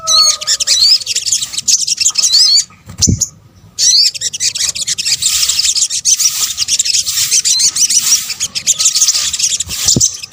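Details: Sunbird (sogok ontong) in a lure mix: steady dense high-pitched chittering with occasional looping upward whistles early on, a short silent break, then unbroken twittering.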